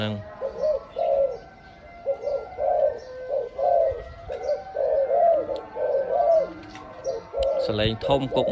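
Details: Loud-voiced dove offered for sale, giving a steady series of low, mellow coos, each phrase a short rising-then-falling hoot, repeated roughly every second with brief pauses between groups.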